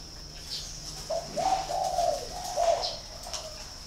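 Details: Spotted dove from a bird farm in Ba Vì district, Hanoi, Vietnam: one soft, rolling coo phrase of several linked mid-pitched notes lasting about two seconds, over a faint constant high-pitched hiss.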